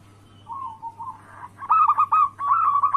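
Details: Zebra dove cooing meant to provoke rivals into calling: a soft rolling trill, then louder clipped, pulsed coos in quick succession, with a constant low hum behind.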